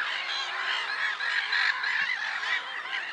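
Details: Numerous black-headed gulls at Lake Sarymsak in Pavlodar region, Kazakhstan, on 10 April 2011 give rapid, harsh, overlapping squawks in a busy unbroken chorus.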